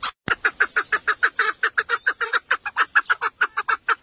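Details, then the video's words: Tame village female chukar partridge, a decoy female kept for hunting, calling in a fast series of harsh, nasal notes, about three per second, steady and unbroken for four seconds. "Evcil köy Marisi dişi keklik sesi"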